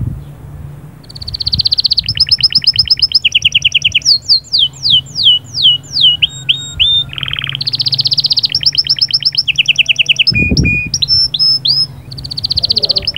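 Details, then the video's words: Caged canary singing to stimulate the female: a varied run of high rapid trills, sweeping downslurred whistles and buzzy rattles, with phrases changing every second or two and a brief low thump near the end. "صهصهات وبتبتات طائر كناري غول و تغريد🔥🔥 يجهزلك الانثي فورا"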